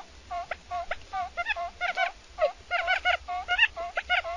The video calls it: សម្លេងសត្វក្រួច . The sound of quail